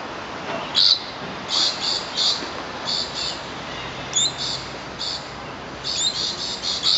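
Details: Rainbow lorikeets, part of a noisy flock of at least ten birds foraging at Bishan Park: harsh, high screechy bursts come in clusters, several in quick succession, with brief quieter gaps between.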